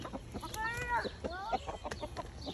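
A bantam rooster gives a short, high, strained crow that swells and then slides down, followed by a brief tail note, over clattering background noise.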